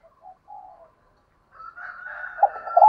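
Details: Spotted dove used as a decoy, calling to lure wild doves; soft low hooting coos at first, then louder throbbing coos under a steadier higher tone near the end.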